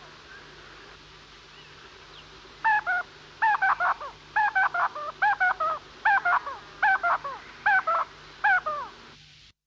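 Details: A tapaculo in Antofagasta, Chile, sings a steady series of nasal, slightly honking double notes, about one every 0.7 seconds, over a low background hum.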